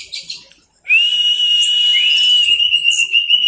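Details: Orange-headed thrush singing teler style for masteran: a few faint notes, a short pause, then one long sustained whistle, steady and rich in overtones, lasting over two seconds with slight wavers.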